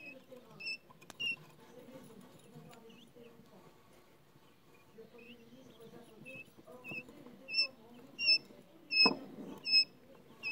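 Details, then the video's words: Recently hatched quail chicks, very active and chasing a shiny spoon, give short high peeps, mostly quiet at first, then loud, evenly repeated cheeps towards the end over a low murmur of handling noise. "Goofing around with the quail chicks"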